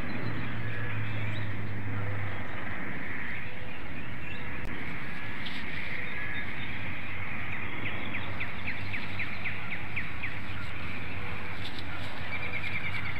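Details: Female bald eagle at a nest in Hanover, Pennsylvania, recorded by webcam early on an April morning in 2019, calling her mate to take over the nest: a late run of quick, high, chittering notes over a steady low hum.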